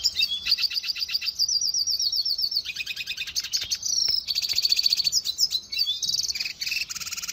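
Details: Cage-bird training song of a red siskin, rapid and energetic: fast buzzy trills, dry rattles and high chattering phrases run together, ending in sharp downward-sweeping notes.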